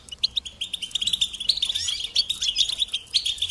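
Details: European goldfinch song for teaching young birds: a lively, rapid chatter of metallic chirps that builds into a busy twittering run, with a short descending slur midway.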